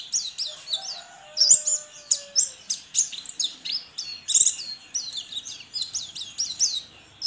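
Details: Online-contest white-eye from Sambas, West Kalimantan: crisp high chirping song in steady pulses, each burst a quick cluster of sliding notes, with a faint lower whistle early on.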